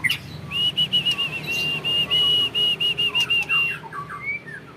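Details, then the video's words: Caged white-rumped shama of Indonesian champion stock delivering a long volley of evenly spaced, clear, level whistled notes, ending in a few lower sliding chirps. "Burung Murai Batu Trah Jawara Vegas BF Tembakan Panjang Bikin Musuh Down Mental"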